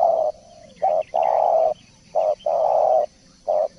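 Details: Tutor recording of a spotted dove singing actively (gacor): steady flat coos alternating short and long, each pair about every 1.5 seconds, loud and even.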